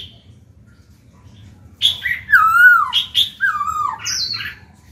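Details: After a near-silent start, a caged Black-throated laughingthrush sings to stimulate other birds: a series of fluid, down-slurring whistled phrases with rich overtones, ending on a higher note.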